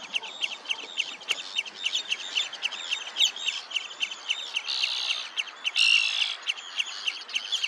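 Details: Dense, overlapping series of clipped high chips from red-necked phalaropes at Olafsvik, Iceland, mid-June 2024, about three to four per second, broken by two brief noisy bursts.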